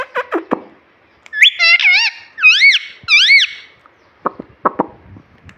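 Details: Pet rose-ringed parakeet talking, saying "mummy" and "mitthu": a few short squeaky syllables, then three wavering, warbled mimicked words, followed by brief clicks and squeaks.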